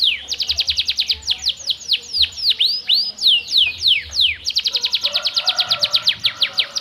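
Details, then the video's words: Canary singing energetically, a bird used to coax reluctant canaries into song: rapid repeated down-slurred chirps, then looping swooping whistles, then another fast trill of sharp notes with faint low rumble beneath. "KENARI GACOR Terbukti Cocok Untuk Pancingan Kenari Susah Bunyi"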